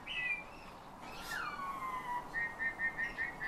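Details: Eurasian bullfinch trained by its owner to sing, copying the owner's whistling and also taking phrases from nightingale and thrushes; clear whistled notes, a long smooth falling whistle, then a run of six short, evenly spaced piping notes.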